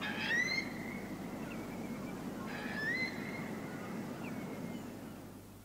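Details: Eurasian Curlew making untypical hoarse calls, with oystercatcher, redshank, gulls and snipe present: two rasping calls about two and a half seconds apart, each a rough burst easing into a thin level note, with a constant low hum.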